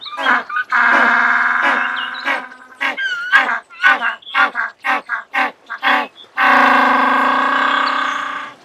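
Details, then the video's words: African (jackass, Cape) penguin brays like a donkey: a long harmonic honk, a run of short wheezing gasps, then another drawn-out nasal bray. "Jackass Penguin Sound Call Noise - African Penguin Sound Call - Cape Penguin Sound Call"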